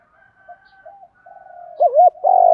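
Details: Spotted doves, male and female, cooing to stimulate doves in training: faint low notes build into a strong wavering double coo, then a loud sustained coo cut off at the end.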